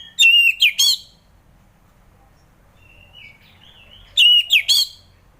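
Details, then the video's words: Orange-headed thrush singing, meant to stir thrushes reluctant to sing in the morning: short loud bursts of ringing whistles with a soft quiet warble between them. "Kicauan Anis Merah || Ngeplong Santai"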